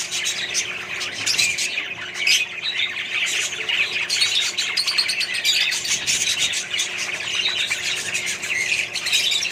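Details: Australian budgies among other colony birds, lively continuous twittering and warbling from many individuals, dense and high-pitched throughout.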